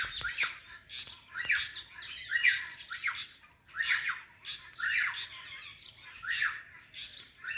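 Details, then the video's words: A talking ring-necked parakeet greeting an Alexandrine parrot gives harsh, raspy squawks and chattering phrases in bursts about every second or so, high and scratchy, with a quiet room behind. "Parrot Greeting Parrot"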